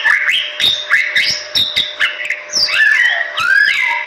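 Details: Bali myna, a medium-sized starling endemic to western Bali's forests, singing a varied run of whistled notes, some rising, some falling, with harsher slurred phrases toward the end and clicking noises behind.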